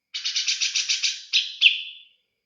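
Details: Grey-cheeked bulbul in captivity giving a fast buzzy series of about nine pulsed notes, then two louder slurred notes, the last trailing off into a fading whistle. Clean and quiet background.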